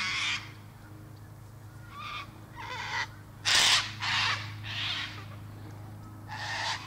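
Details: Cockatoo calls of mixed loudness, short raspy squawks arriving about every half second to second, one sharper loud shriek near the middle, with a low electrical hum in the background.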